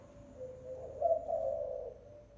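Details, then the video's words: Single spotted dove coo phrase from a lure call, a low tone rising into a louder, throaty coo that fades away. "TIẾNG CHIM CU GÁY MỒI"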